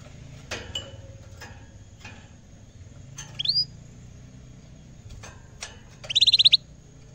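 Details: Vigorous caged canary reacting to a camera on first sight: several sharp clicks, one upward-sweeping whistle, then a brisk trill of high repeated notes.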